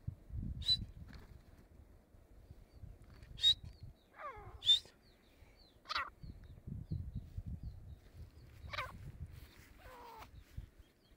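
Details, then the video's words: Grey francolin, called Dakkni teetar, recorded during a fight: loud, sharp single calls and short harsh downward-sliding notes at irregular intervals of about one to three seconds, over low rumbling background noise. "مست دکنی تیترکی لڑاٸ/Dakkni Teetar"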